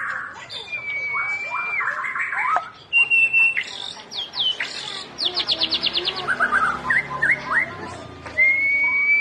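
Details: White-rumped shama song played to get a quiet bird singing: clear whistles, scratchy notes and a rapid high trill of about a dozen repeated strokes, with mixed warbled phrases and a long steady whistle at the end.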